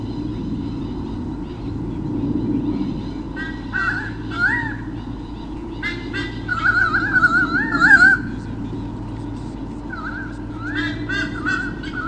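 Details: White-bellied sea eagle pair defending territory against swooping currawongs at Sydney Olympic Park, Australia, 2013, nest camera: repeated nasal honking, goose-like calls in uneven bursts, some wavering, over steady low rumbling background noise.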